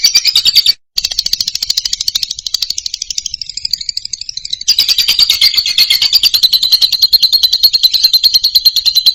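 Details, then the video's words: Lovebird singing loudly: a long, rapid, buzzy rattle of high pulses, briefly cut off, softening into a thinner twittering passage, then resuming as a strong, dense chatter. "KICAU LOVEBIRD MANTAP KERAS"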